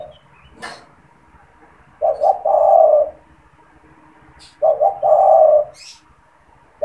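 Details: Caged spotted dove kept in Indonesia as a lure for trapping wild doves, cooing readily when people approach. Two phrases, each of two clipped low notes followed by a longer hollow coo, come about two and a half seconds apart, with faint clicks.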